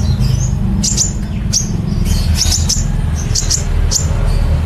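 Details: Sunbird called kolibri ninja singing in the rapid 'nembak cililin' manner on a songbird training recording: sharp high chips and short flicking notes in irregular clusters, with a constant loud low rumble.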